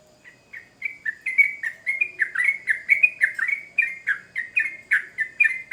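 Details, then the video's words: Excited yellow-vented bulbul song used to provoke responses: chirping starts softly, then builds into a rapid chattering series of bright, warbled notes with rising intensity and a faint low hum beneath. "Trucukan Gacor Ngamuk Pancingan Cepat di Respon Burung Trucuk"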